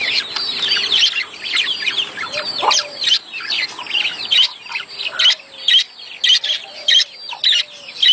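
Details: Budgerigar mating chatter for stimulating the female to lay. Twittering warble gives way to sharp chirps repeated about every half second toward the end, with faint lower whistles.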